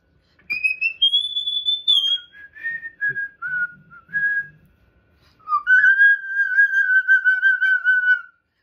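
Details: Pet cockatoo whistling a happy tune in a room: a high held whistle stepping down into shorter notes, a pause with faint background sounds, then a long steady whistled phrase.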